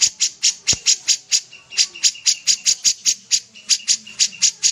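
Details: Common iora singing vigorously: rapid, evenly spaced sharp high chips, roughly four per second, interleaved with short thin level whistles, over a quiet background.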